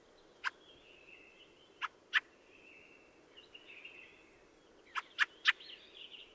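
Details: Harsh chacking fieldfare: single and paired rasping notes, then a quick run of three, between stretches of thin, squeaky warbling.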